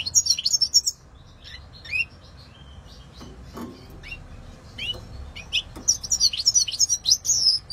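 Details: European goldfinch singing rapid tinkling trills at the start and end, with scattered high chirps and slurred notes in between.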